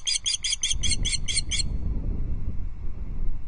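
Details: Female osprey on the perch of a Loch Arkaig nest giving alarm calls at an intruder, August 2022 evening; a single burst of about eight rapid shrill notes, followed by low background rumble.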